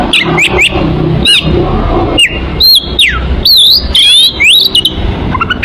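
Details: Kacer, oriental magpie-robin, in a lure song for drawing birds in: brief whistles and downward slurs, then a run of bright wavering whistled phrases, over steady low-pitched background noise.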